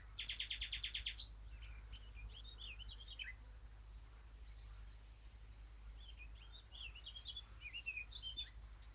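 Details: Eurasian blackcap opening with a rapid string of about ten repeated notes, then softer, twisting warbled phrases against a steady low background hiss.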